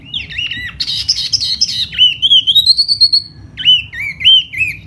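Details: Laughingthrush in spring, singing while fanning out: a long wavering whistle, a harsh rasp, then a smooth climbing whistled phrase and looping slurred notes.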